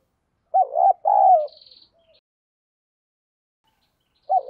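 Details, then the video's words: Spotted dove cooing, a calling voice of the 'giọng đồng thúc' style used to train decoy birds: a low two-part hooted coo followed by a longer drawn note, with a faint high tone, then another coo beginning at the end. "cu gáy giọng đồng . thúc, tiếng gáy gọi"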